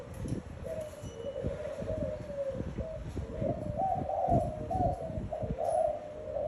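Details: Spotted dove giving a low, drawn-out cooing series over steady rumbling background noise, the coos rising slightly in the second half.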